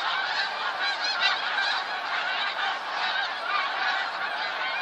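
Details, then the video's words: Thick chorus from a huge flock of snow geese on 28 February 2013, countless nasal honks overlapping into a constant clamour with a few sharper yelps standing out. "Attack of the snow geese!"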